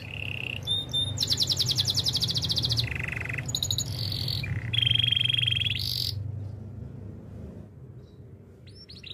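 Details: Spanish Timbrado canary song for training: a string of varied rolling trills and buzzy rattles switching pitch every second or two, followed by near silence with a last faint note; steady low background hum.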